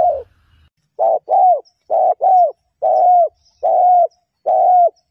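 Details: Female spotted dove calling to stimulate males, a decoy recording: a string of hollow coos, some paired and some single, about two every second and slightly falling at the end of each.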